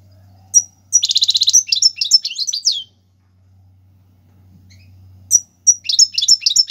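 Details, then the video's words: European goldfinch, royal goldfinch type, singing tiwawati galoubi and serfati style song for teaching chicks: a dense buzzy trill running into liquid chattering twitters, a long quiet gap, then the twittering resumes. A faint low hum underneath. "حسون تيواواطي قالوبي + سرفاتي , تغريد اكثر من رائع"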